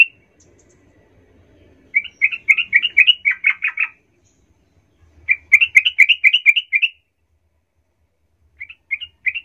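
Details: Sooty-headed bulbul lure for goading other bulbuls into excited calling: three separate bursts of brisk, bubbling chatter with clean silence between them.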